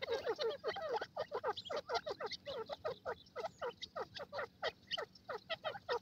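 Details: Francolin pair, locally gadra teetar, calling in forest with a loud, fast and insistent chatter of sharply dropping notes that runs almost without pause.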